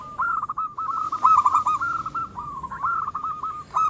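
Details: Local zebra dove singing energetically, a song said to rouse rival birds: a near-continuous stream of rapid, trilled cooing notes at an even mid pitch, overlapping phrases running back to back.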